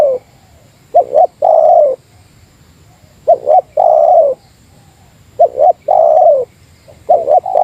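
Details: Spotted dove, Meratus type, kept as a lure and calling at a rival: a series of low three-part coos, two short notes and one long rounded note, repeated roughly every two and a half seconds.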